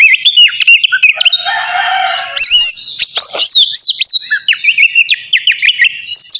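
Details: Caged oriental magpie-robin, navy kacer variety, singing before a bath: busy high whistles and sharp chips, a harsher noisy rasping passage in the first seconds, then a steady stream of quick slurred notes and clicks.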